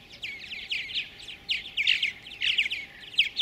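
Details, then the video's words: Purple martin pair feeding chicks in a gourd nest at Ellis Bird Farm near Lacombe, Alberta, Canada, 2017; chicks give rapid, high, scratchy chirps in dense bursts every half second or so, over faint hiss. "Purple martins feed their chicks in gourd nest"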